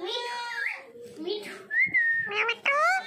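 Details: Pet Indian ringneck parrot and macaw talking: speech-like harmonic babble mixed with a level sustained whistle and short rising whistled notes, indoors in a small room.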